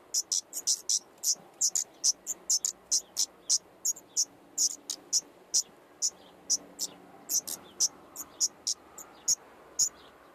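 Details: Common nightingale nestlings, five in an attic nest, filmed by a GoPro in daytime on 15 May 2014, parents feeding every few minutes: long series of sharp, very high hissing notes, irregular and rapid throughout.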